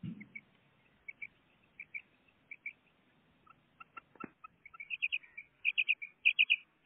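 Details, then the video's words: Pet female common quail: soft, scattered high chirps at first, building to loud bursts of three or four rapid, bright piping notes near the end. "Female quail sound // madi batair ki awaz // batair karkaree | My pet common quail singing"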